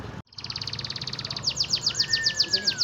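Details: Canary song with a fast, steady trill of clipped notes that becomes louder, sweeping slurred notes repeated about five times per second, while a long, smooth, level whistle runs underneath.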